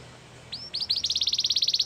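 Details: Canary training song: after a quiet start, a single rising whistle opens into a fast, even trill of high pulsed notes that grows louder to the end.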